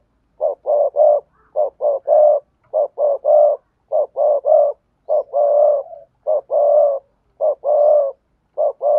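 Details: Spotted dove cooing in a mix of sa thúc, gù and gáy call styles used to lure wild doves: low, throaty coo phrases of two to four notes repeated steadily with short pauses, clean background.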